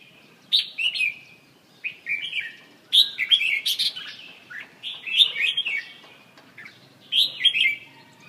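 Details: Red-whiskered bulbul from central Vietnam: short warbling phrases of bright, bubbly notes, each phrase a quick run of several notes, separated by brief pauses, over light background hiss.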